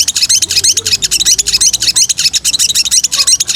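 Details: Breeding female sooty-headed bulbul calling to the male with an unbroken stream of quick, high, chirping notes, nearly three per second, steady and bright throughout.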